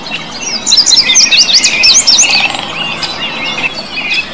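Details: Blue bird song of quick, sharp, high twittering notes in a dense rapid run, easing into softer scattered chirps and warbles over a constant faint hiss.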